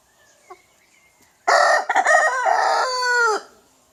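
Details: One loud crow from a young rooster: a raspy opening burst, choppy middle syllables and a long, wavering last note of almost two seconds, with a faint short call just before it.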